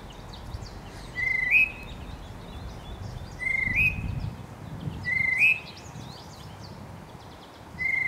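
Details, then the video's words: Spring calling of a scruffy, fight-worn male tufted titmouse: level whistles rising at the end, repeated every two seconds or so, four times with the last one cut off. Scattered high chirps from other birds sound throughout. "Tufted Titmouse spring call"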